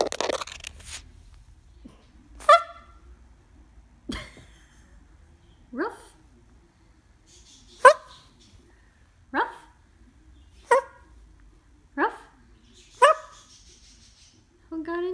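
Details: A cockatoo imitates a dog when asked to bark like one, giving short, high-pitched, harsh bark-like yelps at irregular intervals.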